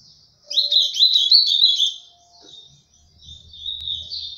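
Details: Ultramarine grosbeak singing in the mineiro pena branca style: a rapid warbled phrase of sweet, slurred notes lasting about a second and a half, followed by a softer, faint continuation and a low hum.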